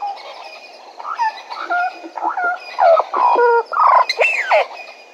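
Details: Recorded at Djuma, Bennett's woodpecker builds from softer notes to loud, reedy calls with bent and sweeping pitch, about two a second, over faint other birdsong.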